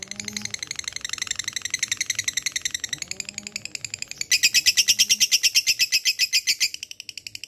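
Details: Lovebird in long ngekek: a continuous fast rattle of high notes that suddenly becomes louder and shriller partway through, then breaks into slower, separated notes at the end, with a faint low hum behind.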